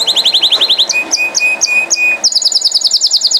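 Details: Canary singing without pause: quick repeated down-slurred notes, then spaced high chips over a thin steady whistle, finishing in a rapid bright high trill.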